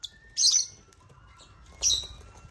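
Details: Lovebirds (Agapornis) on a toy construction crane holding millet utter two harsh, high squawking bursts about one and a half seconds apart.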